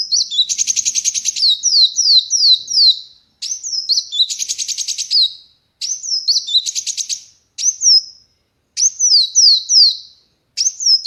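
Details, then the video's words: High, energetic song of a ruby-cheeked sunbird perched on a hand outside a cage: bursts of rapid buzzy chatter alternate with quick downslurred whistles, phrases separated by short silences. "KOWUL EDAN, GACORRR Tanpa Sangkarr"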